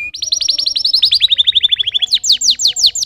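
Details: Canary delivering a long fast trill of repeated chirps that drifts gradually lower, switching abruptly into slower, louder downward-swept notes.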